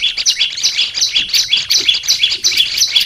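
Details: Olive-backed tailorbird kept as a cage bird, training song: a quick run of paired high notes, an upper buzz dropping to a lower stroke, repeated almost three times per second.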